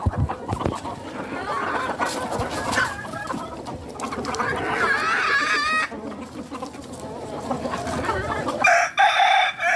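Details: Rooster and hens on a hen farm. Busy clucking runs into a long, harmonic, crowing-like call in the middle. More clucks follow, and the clip ends in a brief noisy burst.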